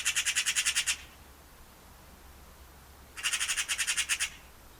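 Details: Eurasian magpie rattling out two dry, machine-gun chatters, each about eight rapid harsh clacks lasting roughly a second, separated by a two-second pause.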